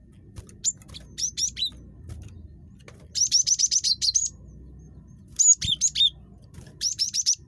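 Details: Cinereous tit, a highly chattery bird, used as a calling lure: groups of high, thin, clipped notes, including a longer run of about eight rapid notes, with a low hum and faint clatter beneath.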